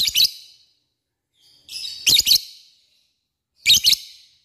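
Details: Lovebird calling to lure rivals: three brief bursts of harsh, doubled high chirps, each followed by a fading tail, spaced nearly two seconds apart.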